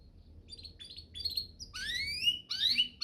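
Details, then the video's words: Canary master song meant to train other canaries to sing: soft thin whistles at first, then loud rising slurred notes with harmonics in separate bursts, quiet low hum beneath. "Masteran Mewah Spesial agar burung kenari cepat GACOR"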